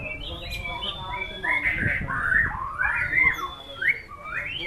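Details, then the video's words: White-rumped shama giving a series of clear, upslurred and looping whistles, phrases spaced by short pauses, with light background noise. "Aksi MURAI BATU SNIPER memukau ngeplay dengan irama lagu mewah"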